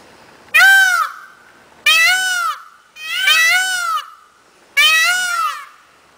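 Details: Peacock calling: four loud, nasal, wailing cries, each about a second long and slightly arched in pitch, spaced roughly every 1.3 seconds, in an otherwise quiet setting.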